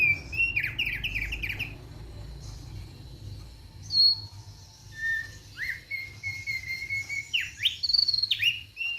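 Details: Relaxed song of a thick-billed white-eye. It opens with a quick run of falling whistled notes, then long level whistles and upward-sweeping slurs, spaced with pauses, over a low background hum.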